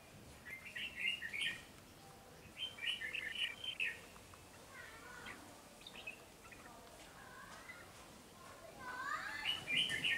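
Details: Keen singing from a wild-caught red-whiskered bulbul in a cage: fast, jumbled warbled phrases repeated several times, with quieter notes between and a louder phrase at the end.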